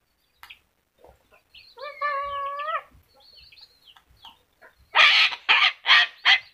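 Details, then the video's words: Talking yellow-crested cockatoo gives one drawn-out, voiced, speech-like phrase with clear harmonics near the middle, then four loud, harsh screeches in quick succession. Faint clicks and scattered noises are heard between them. "kakatua jambul kuning bisa bicara"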